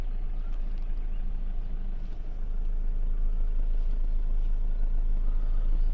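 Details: A vehicle engine idles with a continuous low rumble and faint rhythmic chugging throughout; no animal sound is present.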